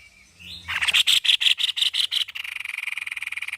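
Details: Very vocal white-necked babbler: a soft rising whistle, then a string of loud raspy notes repeated roughly three times a second that merge into a steady rapid rattle. Faint low hum in the background.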